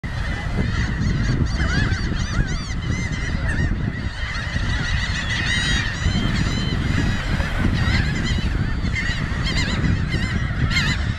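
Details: A flock of laughing gulls feeding along the beach in Cape May County, southern New Jersey, with a ring-billed gull among them, gives a constant overlapping chorus of nasal, honking calls over a steady low roar of wind or surf.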